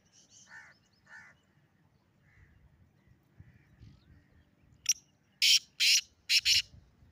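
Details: From atop a rock, a black francolin gives a grating burst of four harsh, scratchy notes near the end, after a few fainter, softer notes and low background rumble.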